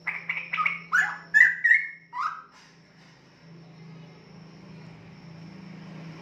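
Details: Young Straw-headed bulbul from wild-bred parents gives a short run of rich, slurred whistled notes, several rising and falling, over about two seconds, then stops, leaving a steady low hum and faint hiss.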